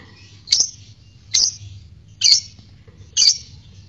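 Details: Fighter lovebird ngekek sound for provoking courtship and song. Four piercing, high chirps are evenly spaced just under a second apart, each a short sharp burst, over a quiet low hum.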